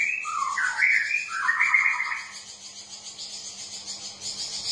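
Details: {'caption': 'A straw-headed bulbul sings a rich rolling phrase of whistled notes for two seconds, then fades to soft high twittering; the recording is used as a lure to get reluctant birds singing.'}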